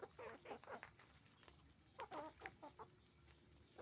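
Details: Hens and roosters on a chicken farm; two bursts of rapid, harmonic clucking cackles separated by a brief lull, over a constant low mechanical hum.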